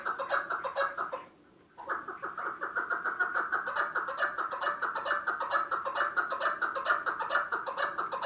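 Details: Chukar partridge producing continuous harsh chattering clucks in quick repetition, interrupted once by a short pause, then building back into a loud, steady stream of chuck notes.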